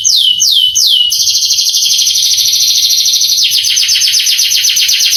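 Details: Canary song played to rouse young canaries; three slow descending whistled notes open, followed by a rapid continuous trill that shifts to a lower, rolling phrase midway.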